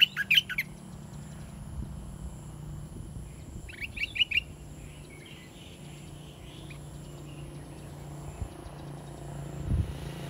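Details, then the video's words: Caged Red-whiskered bulbul placed in a new cage for the first time gives short bursts of bright, warbled whistled notes near the start and again around four seconds, with a low background hum between phrases. "นกกกรงดอกแตง ใส่กรงต่อครั้งแรก(ลูกเสอป่า)"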